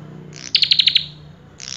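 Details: Common tailorbird producing one fast burst of six loud, sharp high notes in even rhythm, preceded by a soft hiss and followed by the start of another burst, over a low steady hum.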